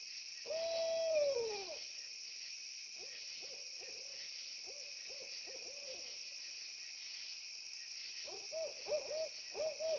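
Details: Owls calling to one another on a security camera: a long falling quavering whistle, then short hoots answered back and forth over crickets.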